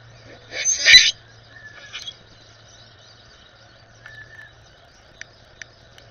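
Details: A common Grackle, puffing up in spring 2021, gives one harsh, squeaky, rusty-hinge burst lasting about half a second, then a few softer chucks and thin whistled notes over a faint low hum.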